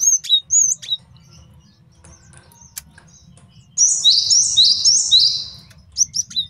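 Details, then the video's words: Male great tit master song for tutoring and luring: a couple of high sharp notes, then a quiet gap, then a steady series of about five quick bright repeated phrases, and a few closing chips. "MASTERAN GELATIK BATU JANTAN BAGUS BUAT MIKAT DAN MASTERAN BURUNG JAWARA"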